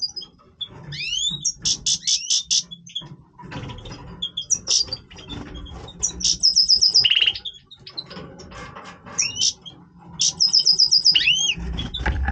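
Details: Goldfinch of the Major form in breeding voice, delivering rising slurred whistles, rapid rattled trills, a short buzzy rattle and bright twittering phrases with brief pauses between.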